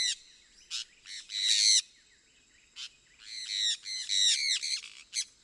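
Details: Sun conure from South America calling in bursts of harsh, grating squawks mixed with short sharp chips, several loud screeches close together, quieter gaps between them, and a faint high whine beneath.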